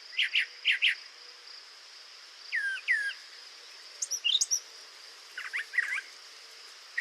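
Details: A Brown Thrasher sings a varied run of short, rich phrases, some harsh and some whistled, with pauses between them over a steady insect hum; it never repeated a song phrase during 40 seconds of singing.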